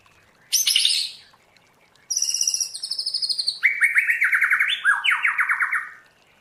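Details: Trained white-rumped shama singing its forest-voice style: a high piercing burst, then rapid chattering trills, followed by a run of loud downward-sweeping whistled notes in quick succession.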